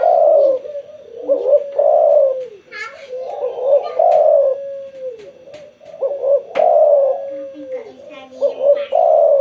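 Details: Spotted dove calling actively after sunbathing, giving deep, soft coos in rolling phrases, a drawn-out level note between them, and brief faint human voices in the background.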